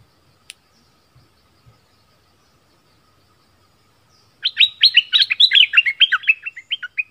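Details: After a near-silent start with a few clicks, a southern Thai decoy bulbul breaks into a long run of dense, rapid, bubbling chirps lasting almost three seconds.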